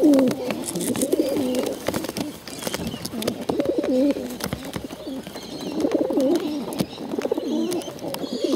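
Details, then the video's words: Hungry bottle-fed pigeons begging: wavering, warbled calls around mid-low pitch rise and fall in bursts, with clicks and rustling throughout and faint higher chirps in the background. "hungry bottle fed pigeons"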